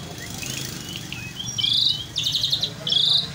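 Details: Asian pied starling (jalak suren) singing in full voice: soft twittering, then three loud, grating, buzzy bursts, each under half a second, repeated in quick succession over a low background hum.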